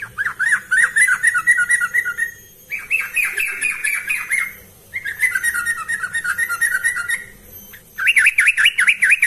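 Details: A vocal yellow-vented bulbul, used as a lure recording for other birds, chatters in bubbly, warbling bursts of about two seconds with brief pauses between phrases.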